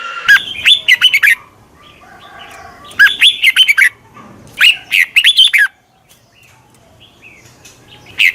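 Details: A red-whiskered bulbul decoy gives its sharp 'chích mào' call to attract wild birds: clusters of quick chips with looping whistled phrases, three main bursts, then near silence with one final note.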